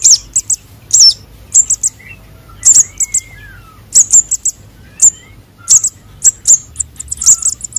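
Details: Sunbird chick calls of konin and sogon nestlings, used to lure birds: very high, thin chips and short trills in quick bursts about twice a second, with a few faint lower whistles behind.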